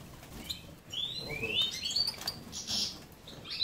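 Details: Goldfinch of the major subspecies from a breeding aviary in Ioannina, Greece; a short burst of upward-sweeping liquid twitters over steady background hiss and soft low rumble.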